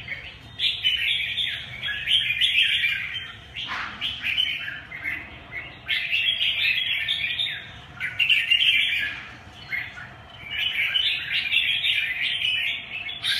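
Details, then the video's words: Red-whiskered bulbul, a kept songbird, singing continuous bursts of bright, chattering warbled phrases, rising and falling, with brief pauses between runs; a steady low hum underneath. "Quai điểu xoè vương"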